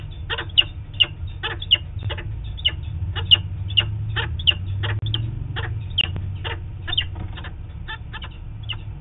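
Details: Peregrine falcon, probably the male, calling from afar on 4 October 2017 as the adult pair flies near a camera. Quick, harsh, evenly repeated notes sound over a constant low hum.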